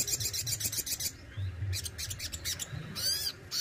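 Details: Captive Crested Jay producing a fast buzzy rattle, a short pause, then more rattling bursts and a strident arched note, over faint low background noise.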